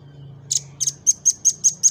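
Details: Velvet-fronted nuthatch song used for training other birds and drawing out their song: a rapid series of about seven piercing high notes, regularly spaced, over a low steady hum.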